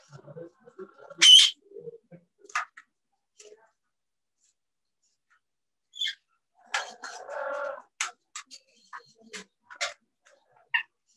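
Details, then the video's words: Two captive parrots at a bird sanctuary, said to use English words when vocalizing to each other; a loud shrill squawk early, then scattered clicks, short harsh chatter and a buzzy rasping burst, with long quiet gaps indoors. "Talk to the Parrots"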